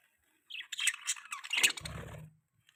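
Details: Budgerigar chirping presented as a mating sound: a short run of squeaky, warbled chirps and chatter with a low rumbling buzz underneath near the end.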